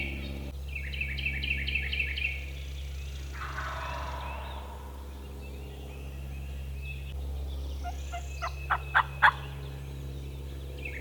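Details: Wild turkeys, four young male jakes responding to calls about 30 yards away in Georgia woods, gobble in a quick rattling burst of about a dozen notes under two seconds, over a low rumble, with a few sharp clicks after.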